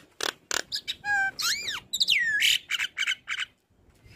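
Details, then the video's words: Prolific song of a caged Black-winged starling that bobs its head: loud rasping bursts, a chattering rattle, arching whistles, and a swooping whistle falling then rising, followed by quick harsh chips. "Dengar Suara Khas Jalak Kebo Gacor"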